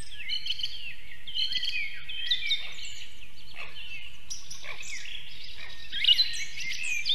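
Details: Whistled, piercing calls from an Osprey at a nest in Võrumaa, southern Estonia, in 2022, rising and falling in short broken phrases, with a softer, steady low drone underneath.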